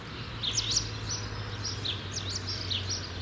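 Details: Young common starlings about to fledge: high, squiggly whistled chirps with quick rising and falling turns, given in short bursts of two or three notes, over a steady low hum.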